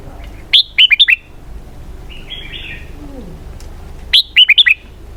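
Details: Red-whiskered bulbul song of the 'xoắn kép' (double-twist) type: a quick run of four or five clear downslurred whistles, a quieter warble in between, then the same run repeated.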